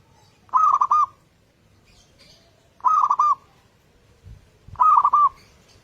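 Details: Local zebra dove song used as a lure, played in the morning to prompt other doves to sing: three clear, rapid bubbling coo phrases, each about half a second, repeated roughly every two seconds over quiet low background hum.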